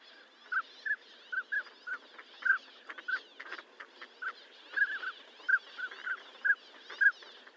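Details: Northern pintail whistling steadily, short clear notes about every half second, sometimes doubled, over background chatter of other birds.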